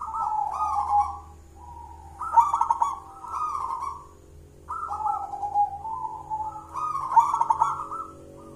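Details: Zebra dove, a wild local jolotundo bird with a heavy, full voice, used as a lure: rippling coo phrases following one another closely, each with a bright accented note, five or so phrases over faint low background noise.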